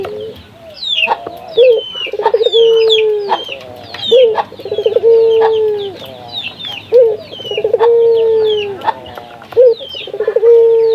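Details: Repeated low cooing of a local puter dove, played to encourage other doves to call; each phrase starts with a clipped note and fast rolling stutter, then stretches into a steady tone, while high sparrow-like chirps continue.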